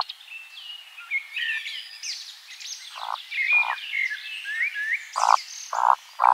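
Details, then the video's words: Eurasian woodcock performing its flight display into the nightfall in a spring forest, repeating short deep grunting croaks about every half second near the end, amid a chorus of other songbirds. "Eurasian WOODCOCK bird sounds at night"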